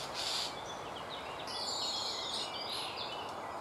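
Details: A lone common starling nestling in an old woodpecker hole, close to fledging, begs when the parent is late: harsh, buzzy high notes in bursts, with drawn-out whistled strokes, against constant rushing background noise.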